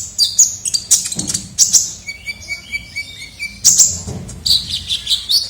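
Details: Kolibri ninja sunbird sounding vigorously as a lure: clusters of sharp high chirps, a run of short evenly spaced lower pips in the middle, then more shrill twittering.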